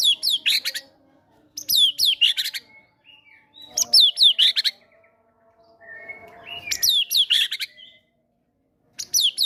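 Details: White-rumped shama, a caged fighter bird in strong song with cinereous tit imitations, used to draw out quiet birds' repertoire. Bursts of whistled swoops and rapid chips recur about every two to three seconds, with soft low tones between them.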